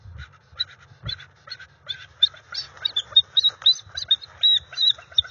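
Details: At the NCTC nest on January 30, 2021, a female bald eagle calls to her mate to start mating. Her chirping notes speed up into a rapid, rising, squealing chatter that turns higher and more piercing toward the end.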